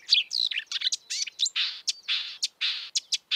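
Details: Wild marsh warbler pouring out a dense, scratchy song of twittering slurs followed by a series of harsh buzzy notes with brief gaps.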